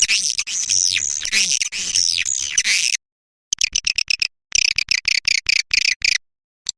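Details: Lure call for attracting swiftlets: a continuous high twittering stream for three seconds, then short staccato chirps repeated in quick irregular bursts separated by silences.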